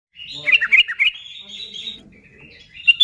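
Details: ['Sooty-headed bulbul singing actively, played to stir other bulbuls into song: a burst of quick bright chirps and slurred notes, then a thin sustained high trill fading out and a final sharp note.']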